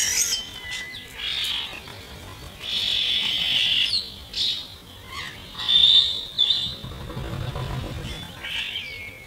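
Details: Young starlings from this year's first generation fighting over food, played at half speed; rasping, broadband squawks come in uneven bursts, mixed with a few thin sliding whistles.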